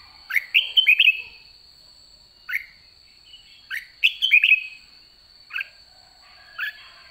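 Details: White-cheeked red-whiskered bulbul at season's end, described as 'đã ché', sings sharp upslurred whistles and short warbling phrases, spaced irregularly about one to two seconds apart over a constant thin high tone.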